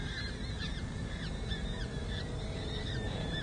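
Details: Peregrine falcon nestlings, four chicks aged six to seven days, at a city hall nest in San Jose during a feeding in May 2024. Faint, high, quivering cheeps repeat rapidly over a strong low rumble.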